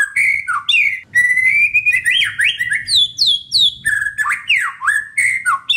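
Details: Caged white-rumped shama song meant to get other caged birds singing: rich, continuous whistled phrases sweeping up and down, rapid and varied, with a faint low hum behind.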